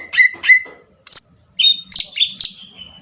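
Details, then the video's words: Green leafbird song used as a lure: paired level whistles followed by sharp high swept notes over a steady high-pitched hiss. "pancingan cucak ijo auto nyaut bunyi langsung"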